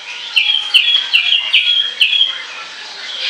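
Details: Orange-headed thrush, song used as a lure: a run of similar bright, whistled, slightly buzzy notes repeated about every half second, each starting with a sharp click.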